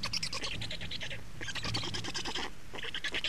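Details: Estonian black stork nest at feeding and changeover time, 28 May 2019: three bursts of loud, grating, rapidly repeated pulses with short gaps between them.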